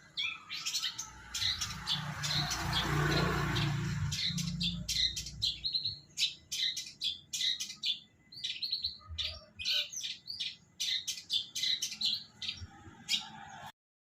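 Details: Caged long-tailed shrike singing a quick, uneven run of sharp high chirps and short whistled notes; a broad rushing noise covers the first four seconds, and the song continues until it stops abruptly near fourteen seconds.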